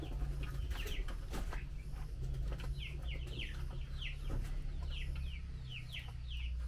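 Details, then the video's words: Female Chinese hwamei calling to the male while being fed mealworms: a series of short, sharp, down-slurred chipping notes in irregular runs, over a steady low hum and a few clicks. "Tiểu mi mái chép gọi trống khi cho ăn sâu gạo"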